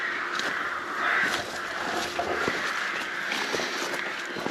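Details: A crowd of crows at the castle-palace ruins and old granary in Bychawa, Poland, caws loudly and continuously, harsh overlapping calls forming a raucous din.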